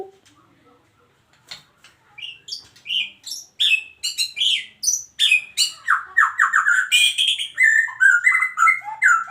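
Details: Adult breeding male white-rumped shama of the Medan type, kept in a breeding cage, singing vigorously: starts quietly, then builds into fast, varied whistles, rich slurred phrases and rapid repeated downslurred notes.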